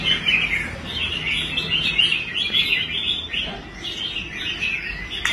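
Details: A rehabilitated caged red-whiskered bulbul sings on its competition rack: lively, tumbling chirped notes in short back-to-back phrases, with little else heard.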